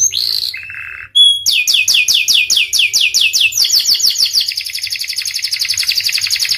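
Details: Panda canary singing hard: a short high note and a lower buzzy burst, then a brief silence. A steady series of sharp descending whistles follows and speeds up into a fast rolling trill.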